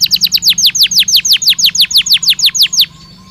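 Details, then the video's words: Belgian canary singing naturally, pouring out evenly spaced, downward-curving whistled notes about five per second, ending abruptly into quiet with a soft low hum. "Som de 1 Hora com Canario Belga Cantando Naturalmente"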